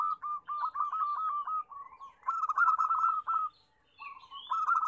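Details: {'caption': 'Zebra doves, local Indonesian birds, in a lively chorus used as a lure to get reluctant doves singing: fast runs of rolling, cooing notes near one pitch, in bursts of about a second with short gaps, and fainter higher chirps overlapping.'}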